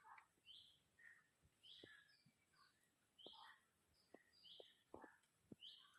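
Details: Several wild birds singing at Nam Nao National Park, with short chirps and whistled notes scattered over six seconds, mixed high and mid pitches, and faint low taps beneath.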